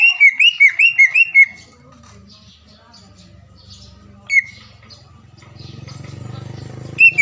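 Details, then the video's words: Green leafbird song used as a lure to provoke rival birds to sing and get agitated: a burst of rapid whistled, looping notes near the start, then a lull with low rumbling background, and brief whistled phrases around four and seven seconds. "PANCINGAN CUCAK IJO GACOR AGAR CUCAK IJO LAWAN SEKETIKA LANGSUNG BUNYI DAN EMOSI"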